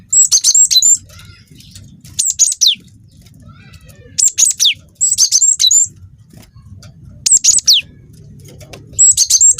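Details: Wingko-type juvenile cinereous tit in lure song to provoke other birds: clusters of high, rapid whistled notes with steep falling sweeps, repeated about every one and a half to two seconds, with a low background hum.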